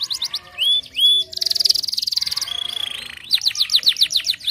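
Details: Singing canary, a recording meant to encourage canaries to sing: short rising whistles, a buzzy rolled trill, a long steady whistle, then a run of rapid repeated chirps.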